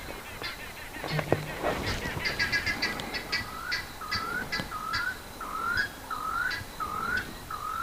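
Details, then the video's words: Guinea fowl calling in the background during a live afternoon safari drive at Pridelands Conservancy, Greater Kruger National Park, South Africa, 19 November 2021: short, rising, nasal notes repeated about every half second, with a low rumble underneath. "Leslie, it's a guinea fowl making a noise in the background."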